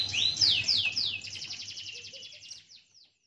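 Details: Buxtoni white-eye, a male, in 'ngalas' style song: a few loud slurred downward whistles leading into a rapid high trill that fades out after about three seconds, over a low hum.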